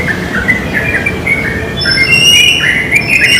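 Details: Yellow-vented bulbuls in the wild, perched in a pine, pour out rapid gurgling notes; partway through, thin high whistles from another bird join in above a constant hiss.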